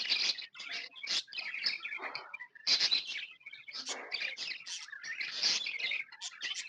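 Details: Lively chatter from happy pet budgies: loud bursts of scratchy, high-pitched chirps and twittering rising and falling in waves with brief breaks.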